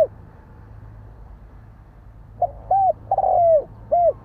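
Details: Spotted dove giving its coo phrase over a faint background hum: a few short hollow notes, a long falling coo, then a closing short note.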